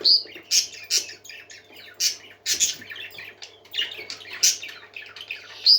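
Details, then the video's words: Happy parakeets singing together indoors, rapid gritty chatter with frequent loud sharp squeaks and whistled chirps in irregular bursts, several birds overlapping, faint low hum behind. "Happy Parakeets Singing"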